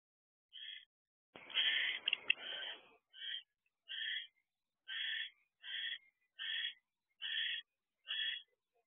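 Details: Barn owls in a nest box on the evening of 25 December 2023 at 6:52 pm, the male delivering dinner to his mate: a series of short, harsh, rasping bursts about every half second, with a burst of rustling and scuffling early on.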